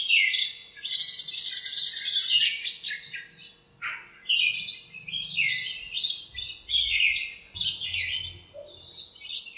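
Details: Several birds in a lemon tree in a home backyard on a cool, sunny morning, chirping and squabbling; dense, bright, high chirps and trills overlap in quick runs, with only short gaps.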